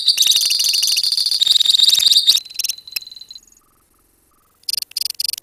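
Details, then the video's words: Colony lovebirds singing ngekek: over two seconds of loud, rapid, high rattling trill, then thinner broken notes, a brief hush, and short sharp chattering bursts near the end. "KICAU LOVEBIRD KOLONI INI TERBUKTI HANYA BUTUH WAKTU 4 MENIT SAJA LANGSUNG NGEKEK"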